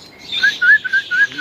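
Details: Caged bulbul, locally called pendet, usually kept outside and described as very noisy, calling after just being put in its cage: a run of short clear whistled notes, each sliding slightly upward, repeated about every quarter second.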